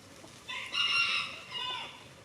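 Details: Rooster crowing outdoors in snow on a cold day, where hens peck about and roosters strut: one loud, harmonic crow lasting about a second and a half, rising then trailing off, over a faint background hiss.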